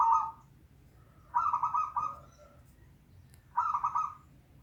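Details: Local zebra dove singing, used to prompt a reluctant bird: three short bursts of fast, bubbling coos, roughly two seconds apart, against a quiet background.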